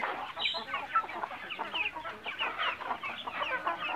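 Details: Bangkok chickens kept semi free-range on a farm, a flock giving dense, overlapping clucks and short chattering calls with no pause throughout, several brief higher squawks standing out above the steady murmur.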